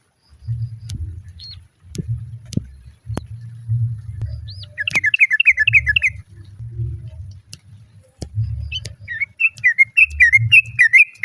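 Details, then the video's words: Sooty-headed bulbul female calls for the male, with other birds joining in. After several seconds of low background rumble and clicks, two lively bursts of fast, jumbled chattering notes arrive, the second longer and denser. "SUARA TRUCUK BETINA MEMANGGIL JANTAN, BURUNG LAIN JUGA IKUT NYAUT"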